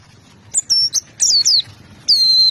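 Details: White-eye giving a few sharp, high chirps, each sliding down in pitch, with short silent gaps between the notes.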